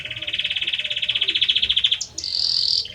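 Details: Belgian canary male singing to the female, delivering a long steady trill of rapid pulses around mid-high pitch for two seconds, then a sharp upward note and a higher buzzy roll.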